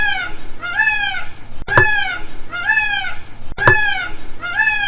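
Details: Indian peafowl gives loud, nasal, wailing calls with a rising-then-falling shape, repeated roughly every second, broken by two sharp, harsh blasts. A low background hum runs throughout.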